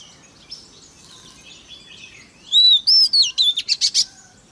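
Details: Kacer, or Oriental magpie-robin, lure song meant to excite rival birds: after faint background chirping, a loud burst of clear sweeping whistles then fast repeated notes in quick rhythmic pulses.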